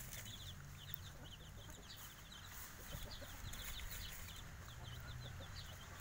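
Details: Several five-day-old Javanese kampung chicks cheep without pause. Their high, brief, slightly falling notes come about four per second, loosely timed and overlapping, over low background noise.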